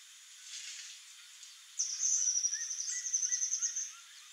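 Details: A male swallow tanager (Tersina viridis) sings a high, thin, rapidly stuttering series of sharp notes for about two seconds, with soft background hiss.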